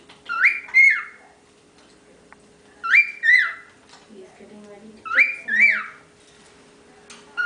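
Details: Youngest of ten pet cockatiels whistling indoors: repeated two-note whistled phrases, each note swooping up then gliding down, given about every two and a half seconds, with softer low chattering between phrases.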